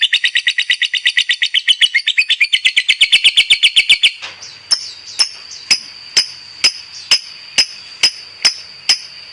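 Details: Lovebird kept as a competition bird, chattering fast: a dense burst of rasping chips for about four seconds, then slower, sharp ticking clicks spaced roughly every half second.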